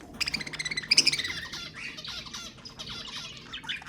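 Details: Budgerigar chatter used to stimulate budgies: an opening flurry of quick harmonic chirps and a bright whistled phrase, then softer, continuous scratchy twittering.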